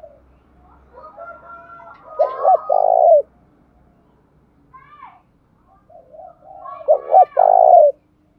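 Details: Spotted dove used as a decoy, cooing in the morning to lure males: two loud phrases, each a quick double note ending in a sustained low coo, preceded by soft murmuring notes.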